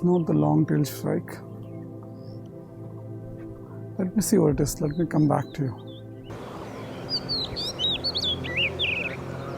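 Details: In early morning in summer, in oak and rhododendron forest in the Madhmaheshwar Valley, Uttarakhand, an Oriental magpie-robin gives a few seconds of sweet, varied whistled phrases that rise and fall quickly, after a man talks over most of the recording.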